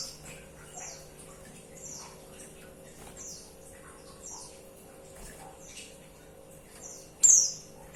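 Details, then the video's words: Series of quiet, very high, thin chirps sliding downward, about one each second, from a female white-eye calling the male, ending in one much louder sharp note; faint hum throughout. "Suara pleci betina"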